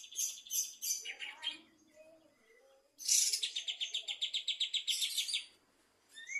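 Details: Bulbul singing vigorously in the afternoon: bright rapid trilled phrases, a short pause with softer low notes, then a long run of evenly repeated chirps about four per second, and a fresh trill starting at the end.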